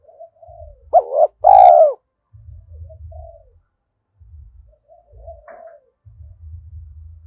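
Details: Spotted dove kept as a decoy, cooing at dawn to call in wild birds; one phrase with a clipped two-part note followed by a drawn-out throaty coo, then soft faint coos and low knocking noises.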